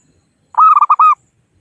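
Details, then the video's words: Local wild zebra dove calling rivals, used to lure birds for trapping: a single brief phrase of four or five rolling, mellow cooing notes, the first and last drawn out. "Suara Burung Perkutut Lokal Pikat Gacor Ahlinya Memanggil Lawan"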